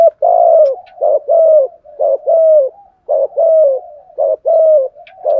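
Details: Captive decoy spotted dove calling loudly to provoke rival doves: continuous deep coos in rhythmic pairs, a brief upswept note then a sustained falling note, repeated about every second.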